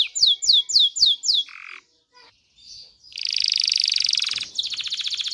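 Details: Canary song played to stimulate males and females to mate: a run of five loud descending whistled sweeps, a short nasal phrase, a pause, then a dense fast buzzing trill and a rapid rattling roll.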